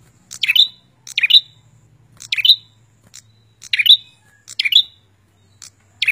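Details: Bar-winged prinia, male and female singing together or in turn, loud: short sharp chirping phrases repeated about once a second, each a quick burst of high notes ending in a bright ringing note.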